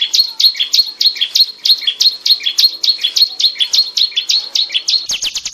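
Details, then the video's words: Mountain tailorbird, locally called cigun daput or prenjak gunung, singing in the vigorous gacor style: a fast series of sharp, high chirps repeated about twice a second, ending in a quick burst of buzzier notes. "suara gacor cigun daput"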